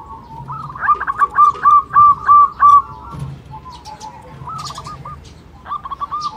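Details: Local zebra dove (perkutut) call used as a lure to stimulate other birds to call: a run of quick, ringing coo notes in the first half, then softer, broken repeats over a faint background hum.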